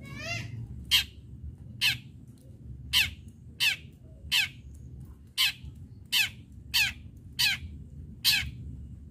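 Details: Lure recording of a long-tailed shrike singing fiercely in fighting style to set off other shrikes: a long series of about eleven loud, scratchy, rasping notes, spaced under a second apart, over a quiet low hum.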